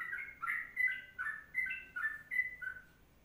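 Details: Sooty-headed bulbul in long kongslet, or ropelan, song style, a tutor recording: bright whistled two-tone phrases, each slurring up or down, delivered in quick bursts with brief gaps, over a quiet background.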